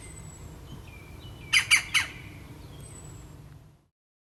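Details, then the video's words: Juvenile European green woodpeckers giving three quick harsh, rasping squawks in a short burst, with faint thin whistles from other birds and a quiet background. "PICCHIO VERDE Giovani con canto finale"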